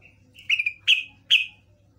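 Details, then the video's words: Yellow-vented bulbul call used as a lure to prompt other bulbuls to answer: three bright, clear notes about every 0.4 seconds, each with a sharp attack and a short trailing tone, over a faint low hum. "PANCINGAN TRUCUKAN"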